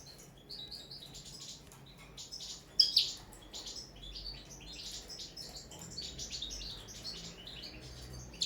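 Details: During a first training session on the table, a caged common linnet delivers long, rambling high twittering, quick chirps and trills almost without pause, with one loud sharp note early on.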